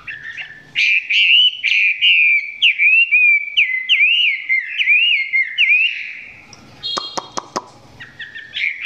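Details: Chinese hwamei filmed up close, song still short of full power; a steady stream of warbled, wavering whistles for about five seconds, then a few sharp clicks and a brief renewed whistle.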